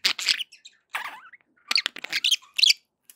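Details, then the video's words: Happy budgerigar calls from pet birds: scratchy chirp clusters, a soft rising whistle-like note, then a lively burst of squeaky chirps. "happy budgie sounds"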